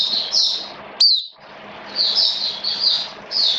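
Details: Oriental white-eye kept as a caged songbird in rainy weather: buzzy high warbles broken by one sharp sliding chirp, then further rising and falling trilled phrases, low hum underneath.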